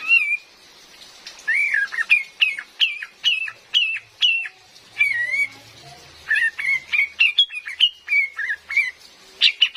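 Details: Cream-vented bulbul, female, recorded as a trapping lure for use in forest: a long series of clipped, downslurred whistled notes repeated roughly every half second, a wavering whistle in the middle, then faster chattering notes.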